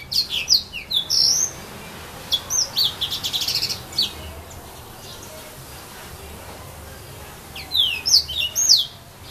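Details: Serin in filaos at Saint-Philippe, Réunion, delivering spirited bursts of high, tinkling chirps and down-swept whistles, a long pause in the middle, then another rapid twittering phrase, over light background hiss.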